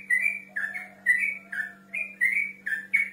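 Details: Male yellow-vented bulbul calling a rival with loud, rich whistled phrases in short clusters, each slurring up then down, spaced about every half second over a faint hum.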